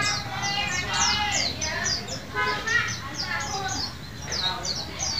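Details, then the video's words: White-eye song used as a lure to get caged birds that have stopped singing to sing again: a dense, busy chatter of quick high descending notes over layered warbling, steady with little pause. "VOLUME TEMBUS untuk masteran maupun pancingan pleci macet bunyi & terapi bahan agar cepat ngalas"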